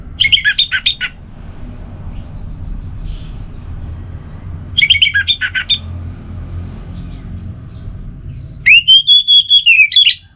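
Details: Relaxed singing of a kept orange-headed thrush from Singaraja, Bali, meant to coax slumping birds back into song. Three separated bursts of rapid chattering, whistled notes come, the last a long series of clear, rising-falling whistles, with quiet hum between.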